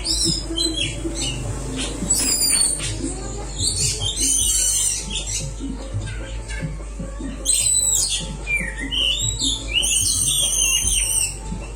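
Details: Oriental magpie-robin (kacer) training recording meant for birds that have stopped singing: rich, varied whistled and chattering phrases, rising and falling in quick bursts, over a steady low hum.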